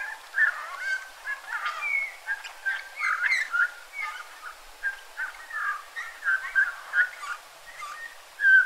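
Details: Eurasian bullfinch in a yard at Joroinen, giving soft, low whistled piping notes, some short and some slightly drawn out, repeated irregularly and often overlapping in a busy run of calls.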